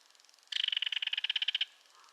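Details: Call of a belted kingfisher: a single abrupt, rasping rattle, a rapid even series of about twenty clattering pulses lasting roughly one second, in otherwise quiet surroundings.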